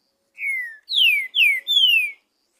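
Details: Green-winged saltator singing freely out in the wild: four whistled notes, a level falling first note then three louder sweeping descending slurs, clean and quiet background.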